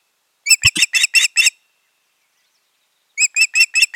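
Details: Osprey pair at the nest on 14 June 2019, after a failed breeding season. A quick series of six sharp, harmonic chirps with a low thump near the start, then a two-second silence and five more evenly spaced chirps.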